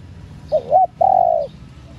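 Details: ['Single phrase from a female spotted dove calling to stimulate males: two short rising notes followed by a long, steady, slightly falling coo, over a faint low hum.']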